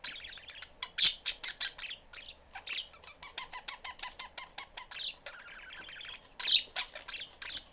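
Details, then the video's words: Budgerigars, a pet family of parents and young, in a cage with the door open. A long stretch of rapid ticking chatter and warbling with chirps, two louder squawks standing out. "family budgies in cage/chriping, mom is busy, kid looking for attention."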